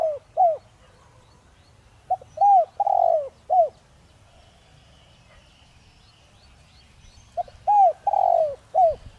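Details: Spotted dove kept as a decoy to provoke other doves into calling quickly, voice style 'giọng đồng rặc'. Deep, mellow cooing phrases, each with short notes around a long burry middle coo, separated by several seconds of quiet, with a faint low rumble.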